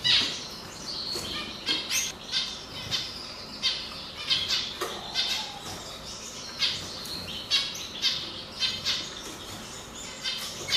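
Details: Canary, singing bird whose sex is being judged: quick sequences of high chirps and short trills, regular bursts roughly every second over steady hiss.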